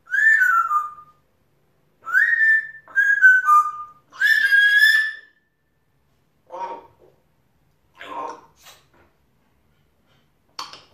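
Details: Male pet African grey parrot chattering to himself: four clear whistles stepping downward in pitch over four seconds, then softer scattered muttering notes spread through the rest.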